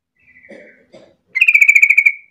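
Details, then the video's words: Lure song of a yellow-vented bulbul, played to make others join in: a soft, faint wavering phrase first, then a loud run of about twelve quick, throbbing notes on a steady pitch. "pancingan trucuk gacor biar trucukan lain ikutan bunyi"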